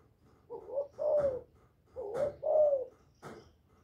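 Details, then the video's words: Spotted dove, a caged decoy bird kept by Vietnamese dove keepers, singing to stimulate other doves: two short phrases of mellow, slightly falling coos, each a soft lead note then a longer drawn coo, with faint clicks between. "Tiếng cu gáy mồi / cu gáy đủ bài giọng hạp bổi kích mồi luyện bổi mau nổi hiệu quả"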